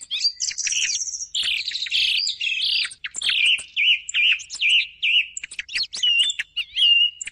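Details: Thrush song used as a morning lure for hunting thrushes: a loud, varied run of high whistled and chirping phrases, several short notes repeated three or four times in a row, with dry clicks between phrases.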